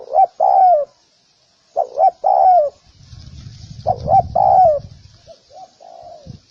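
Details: Spotted dove cooing in repeated phrases, paired short coos and a long falling croo, while a low rumbling noise rises in the middle; softer trailing coos close the passage.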